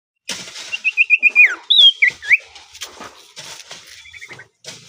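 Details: Common iora singing in a relaxed, low-energy mode: a quick run of about five clear whistled notes, then looping slurred whistles, fading into softer twittering phrases with short silent breaks.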